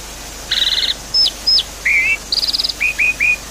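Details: Javan pied starling song to encourage a silent bird: a buzzy trill, two sharp falling whistles, a wavering warble, another buzzy trill, then three quick upslurred chirps.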